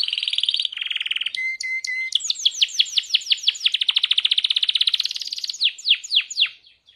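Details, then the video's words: Canary singing loudly in the hand: a high buzzy tour, a lower rattle, clipped double whistles, then a long accelerating run of rapid sweeping chirps that slows into a few final loud notes. "kenari gacor di tangan"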